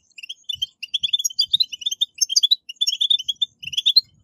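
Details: Lively, high-pitched chattering of a European goldfinch in 'batbata' style, for encouraging captive goldfinches to sing; runs of quick tinkling notes with brief gaps and faint low bumps.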